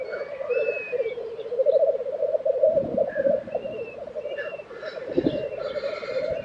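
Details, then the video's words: Lekking black grouse recorded in April 2023 at Tiveden, Sweden, giving a steady low bubbling stream of quick pulses that swells and fades, with a few faint high whistles from other birds. "Black Grouse Lek - sound recording"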